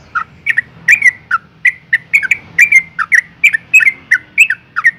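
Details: Female yellow-vented bulbul (trucuk) calling to provoke males into singing; a lively, steady series of short bubbly chirps and chattering notes, roughly three per second for five seconds, over a faint low hum.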